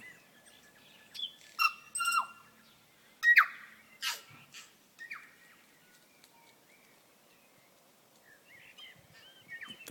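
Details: A tui sings on an evening walk where many tuis are about: a varied phrase of liquid notes, sharp clicks and rising whistles, with gaps between bursts and a softer warbling run toward the end.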